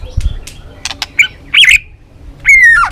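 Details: White-rumped shama lure song in balak 6 style: scattered clicks and short notes, then two loud slurred whistles, the last a long falling note.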